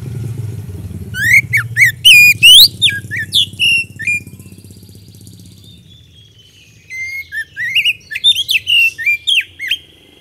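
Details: Oriental magpie-robin singing actively, used as a lure to prompt quick responses from other birds; bursts of loud, varied whistled notes, rising and falling sweeps and sharp chirps, then a pause before a second rapid phrase, over faint low hum.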